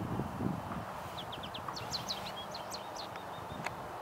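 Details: American goldfinch in spring, Coquitlam, British Columbia, April: a run of bright, rising high notes followed by slurred twitters and a thin drawn-out whistle, with wind rumble and handling thumps below.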